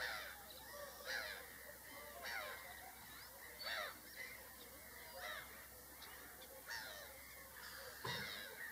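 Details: Whooper swans giving loud, nasal bugling honks, spaced irregularly about every second or two and overlapping from several birds, over a steady background hiss.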